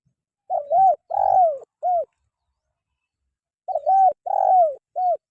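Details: Spotted dove cooing, used for training caged birds to sing: a three-part phrase of low, hollow coos, the middle note longest and falling, given twice about three seconds apart.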